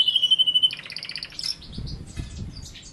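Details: Canary song fragment: a steady whistled note followed by a quick run of pulsed high notes, then fading softer twitters with some low background rustle.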